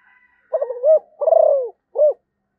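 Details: A Malaysian spotted dove gives one loud three-part coo, beginning with a hesitant double coo, swelling into a vibrating descending purr and ending on a brief clean note, against silence.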